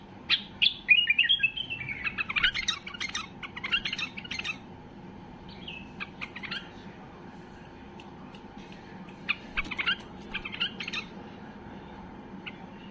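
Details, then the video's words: White-eared bulbul (Basra bulbul) in a highly excited state, singing to make silent bulbuls start singing: rapid, varied chattering and whistled phrases, tumbling notes packed together for four seconds, then scattered bursts after a pause. "اقوى تغريد بلبل بصراوي لفتح البلابل القافلة"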